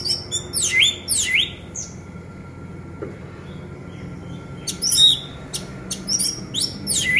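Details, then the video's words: Orange-headed thrush, a home-kept bird, played so quiet birds start singing: scattered loud, sharp phrases with steep downward sweeps and high notes, in bursts at the start and end, with a quiet gap between. "Pancingan Anis Merah Macet Biar Bunyi Gacor dan Teler Lagi"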